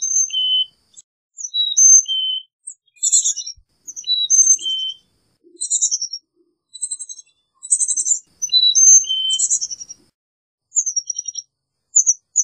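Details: Busy Carolina chickadee vocalising almost without pause, mixing clean whistled high and low notes with frequent buzzy chattering call bursts across the whole recording.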